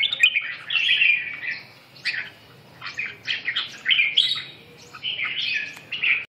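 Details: Red-whiskered bulbul song made of rolling whistled phrases, some sliding and some clipped short, repeated roughly every second over a quiet background.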